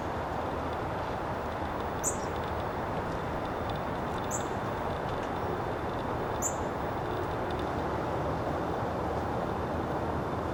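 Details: Female downy woodpecker returning to her nest box to go to sleep for the night: three short, sharp, high calls spaced about two seconds apart, over a steady low rumbling background noise.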